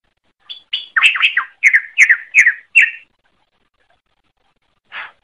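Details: Greater green leafbird (cucak ijo) singing in a gacor style: a quick burst of about ten chirped, slurred notes over roughly two and a half seconds, then a pause and one more short note. No other sounds.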